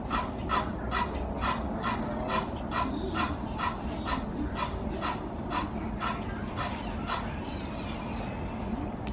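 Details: Duck seen from a savanna view room at Animal Kingdom Lodge, with waterbuck, giraffe and zebra nearby, giving a long run of harsh panting barks roughly twice a second, fading a little toward the end, with low background rumble.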